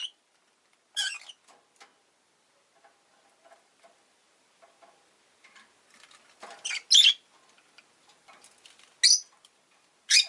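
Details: Rosy-faced lovebird chirping: sharp buzzy squawk-like bursts spaced irregularly a second or more apart, with faint ticking and rustling in between.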